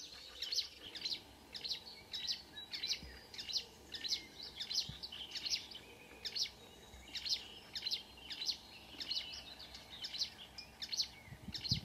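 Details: Marsh warbler singing at 5 a.m. on 2 June 2009 at Kråkstad near Ski, Norway; bright high chattering phrases repeated roughly twice a second in a steady run, with a low background hum.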